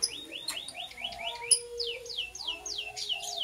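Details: Lovebird chirping in the morning: a steady run of quick, high, downward-sliding chirps, about three per second, with a softer low warbling murmur underneath.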